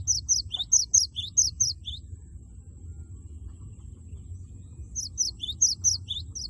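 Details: Cinereous tit belting its loud 'wucit wucit' song to stir a rival into singing: quick high chirped pairs, each set ending on a lower downslurred note, in two bursts separated by about three seconds of quiet.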